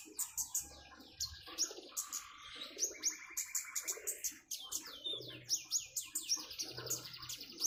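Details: Common iora song with flowing water, dense rapid twittering and clipped whistles broken by a short buzzy trill in the middle.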